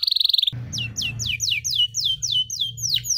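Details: Canary song aimed at young canaries learning to sing: a brief rapid trill, then a row of clear falling whistles about three per second over a low steady hum.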